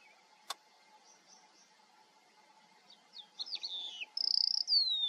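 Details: Eurasian skylark in the Eifel, Germany, singing: after a quiet start, a fast, high burst of chirps, slurred notes and a buzzy trill; a faint steady hum and a single click underneath.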